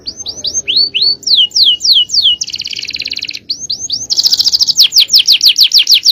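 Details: Canary in full-power champion song, loud and clear: rapid repeated upslurred whistles, a buzzy rolling trill, then more swept whistles and a fast bright rattle of notes repeated several times a second.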